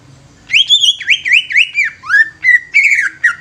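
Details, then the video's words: Young greater green leafbird, a lure for newly caught leafbirds, delivers a lively phrase: high whistles that dip in repeated V-shaped slides, then lower, swooping and trilled notes, loud and close. "CUCAK IJO MUDA INI COCOK UNTUK PANCINGAN CUCAK IJO BAKALAN"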